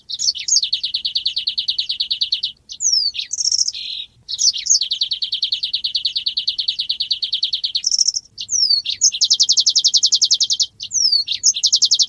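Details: Energetic song of an Asian golden weaver: repeated sequences of swooping whistled notes leading into sustained rapid buzzy trills, some lower and some higher, with brief pauses between phrases.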